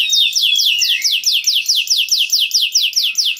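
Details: Canary song that prompts other canaries to breed and sing: a quick, even train of high downslurred chips, roughly four to five per second, with a faint low whistle beneath.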